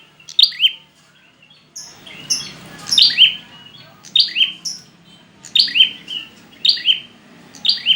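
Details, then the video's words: Prinia call to stir reluctant birds into song, sharp falling double chirps repeated roughly every second over a faint background hum. "pancingan prenjak malas bunyi, macet/stres dijamin nyauut"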